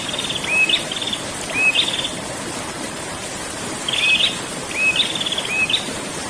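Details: A prinia sings in the rolling ngerol style: a flat whistled note, then a high jittery buzz, repeated in pairs with a pause between, over constant hiss.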